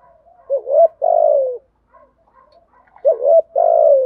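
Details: Spotted dove (cu gáy) in the thổ voice style, cooing to provoke other doves: two phrases, each a short hooked note then a long, slightly falling rough coo, about three seconds apart, with soft faint notes between.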